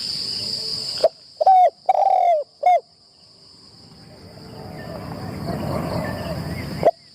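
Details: A single cooing phrase from a spotted dove, trained as a decoy in a trap enclosure for the first time. The phrase is two short notes, a longer slurred coo, then a clipped final note. A faint persistent high whine and swelling background hiss follow.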